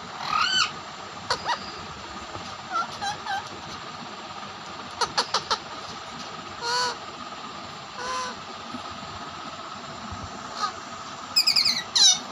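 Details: Rose-ringed parakeets fighting with each other, giving harsh, grating squawks and shrieks in short irregular bursts, some rising and falling, over a steady background hiss.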